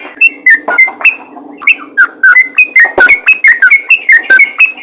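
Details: Vocal yellow-vented bulbul calling to draw answers from other bulbuls, giving a lively string of short whistled notes, some sliding downward, quickening in the second half, over a faint background hum.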